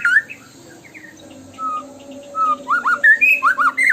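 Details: Murai batu (white-rumped shama) singing tembakan-style: scattered soft whistles and short level notes, building to a fast run of loud down-slurred and up-slurred whistled phrases.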